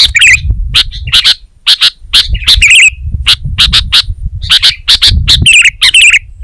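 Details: Sooty-headed bulbul pouring out a lively song of clustered sharp chirps and twisted, warbling notes in quick groups, with a soft low background rumble.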